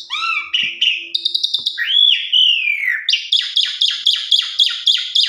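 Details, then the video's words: Pied myna song used to lure other pied mynas into singing: varied whistles, a long slurred downward whistle, then harsh buzzy notes repeated rapidly about every third of a second. "Pancingan Jalak Suren Macet Bunyi"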